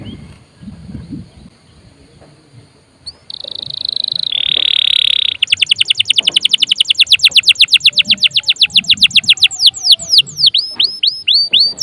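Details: Canary song used to encourage other birds to sing: a steady high buzzing tone, then a long rapid series of repeated sweeping notes, later giving way to looping whistles.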